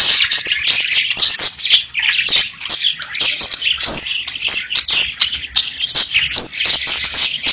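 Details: Chirping pet budgerigars keep up a steady high-pitched warble, mixing scratchy twitters with a few clear short whistles and occasional harsher squawks.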